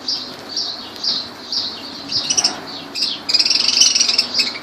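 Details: Lovebirds at Laylan, Kirkuk, give repeated high chirps, then break into a fast, buzzy chattering trill toward the end.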